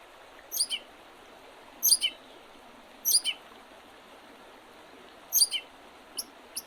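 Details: Quieter wild birds by the Oredezh River, Leningrad Region, Russia, on 8 April 2023 in spring. Paired high chirps recur every one to two seconds, with a steady hiss behind.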